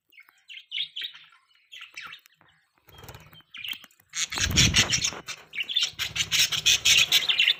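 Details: Pet budgerigars chirping: a few scattered squeaky notes at first, then a dense, loud burst of overlapping chatter and warbling twitters, with a low thump and faint hum underneath.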